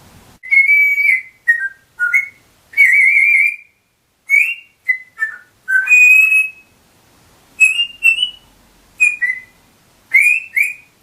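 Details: A pet African grey parrot whistles "I Do Like To Be Beside The Seaside" in clear, bright phrases around the middle of its range, each lasting under a second, with short pauses between them.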